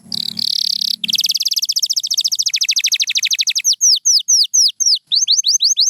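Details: Pure white canary singing: a buzzy trill opens, then rapid repeated notes run into a fast rattle, ending in a series of descending slurred whistles.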